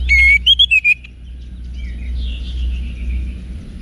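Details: Brief wiksar phrase of an orange-headed thrush for cage-bird training: a clear, level whistle followed by a few quick whistled notes. Then faint, wavering whistles sound over a strong low hum.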